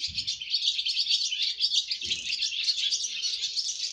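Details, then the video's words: Young swallows taking their first flight fill the air with a steady wall of shrill, overlapping chirps and twitters, accompanied by two faint low bumps. "Yavru kırlangıçların yuvadan ilk uçuş şarkıları 🥰 First flight songs of baby swallows"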